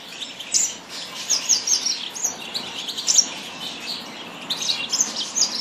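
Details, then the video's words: Yasmin bird singing a busy, high-pitched chatter of short chirps and trills, with loudest bursts near the middle and the final second. "تغريد طائر ياسمين"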